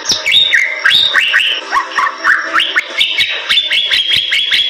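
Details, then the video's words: Lively Bali myna song, described as super gacor: a dense run of whistled notes with fast rising and falling bends, buzzy undertones, and steady ticking clicks behind. "Suara Jalak Bali Super Gacor"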